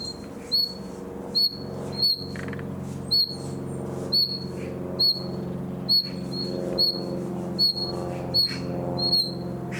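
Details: Young common nightingale practising in summer: a series of short, high whistled notes repeated about once a second over a loud, continuous low mechanical hum.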